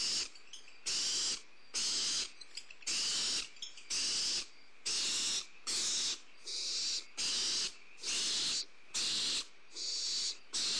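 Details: Nest-camera recording of Barn owl owlets as prey is delivered, 2 April 2011: a long run of rasping hissed screeches, about eleven in eleven seconds, each burst flat and noisy, separated by brief pauses.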